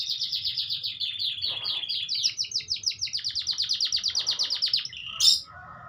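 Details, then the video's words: Canary song: long rapid trills of repeated high notes, some stretches faster, ending in a sharp loud note and a brief pause; quiet low hum underneath. "Kicauan Burung Kenari Merdunya Suara Burung Kenari"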